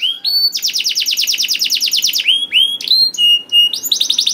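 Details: Canary singing as a lure for canaries reluctant to sing: a couple of opening whistles, a fast run of descending chirps, then rising glides and flat whistled notes before another quick trill.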